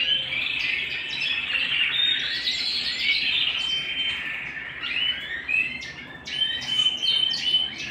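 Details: Canary singing at home: continuous twittering warble with short pure whistles and rapid chirps, over faint background hum.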